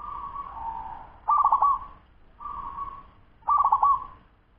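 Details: Zebra dove of the local wild type, aged ten months, in quick song: alternating soft sustained coos and bursts of rapid, trilled cooing notes, two full phrases in about four seconds, low background rumble.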